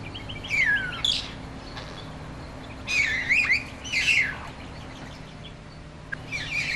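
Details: Male bowerbird at his elaborately decorated courtship bower, trying to attract a female: bursts of harsh, wavering whistled calls that slide downward, given in about four bouts separated by short pauses, over a steady low hum.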